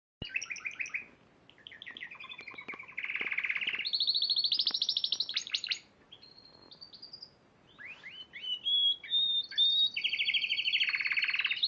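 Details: Spanish Timbrado canary, a March 2014 singing competition champion, delivering varied rolling trills, metallic bell-like runs and sustained high whistled notes, with short pauses between phrases.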